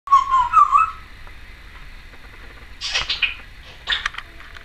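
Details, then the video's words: Timneh African grey parrot, a captive female, recorded indoors in 2012 making various noises: wavering whistled notes near the start, then short harsh squawky bursts later, with faint room hum throughout. "Timneh African Grey Parrot...various noises"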